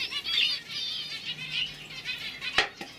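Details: Young canaries from 2015 kept indoors; soft continuous twittering warbles with rapid trilled phrases, ending in a sharp click or tap.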